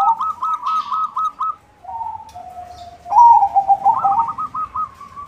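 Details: Zebra dove of the white form singing to attract others of its kind: a staccato string of coos, softer drawn-out lower notes, then a louder rolling, bubbling phrase to finish.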